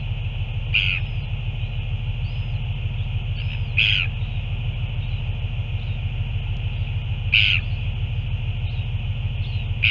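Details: Northern royal albatross on 9 February 2024 during feeding: three sharp, squeaky, high-pitched calls spaced roughly three seconds apart, with fainter squeaks between them, all over a continuous low wind rumble.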